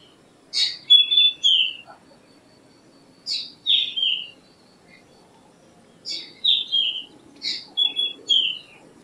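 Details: Black drongo (Dicrurus macrocercus) singing: four bursts of harsh, sharp notes mixed with clear whistled slurs that fall in pitch, each burst lasting about a second with short pauses between; faint low rumble underneath.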